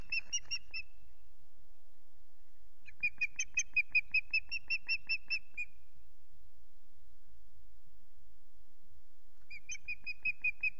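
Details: At Loch Garten, a lone female osprey keeps calling for her mate, who fails to appear: bouts of rapid, high piping whistles repeated about eight to ten times, separated by pauses of a few seconds.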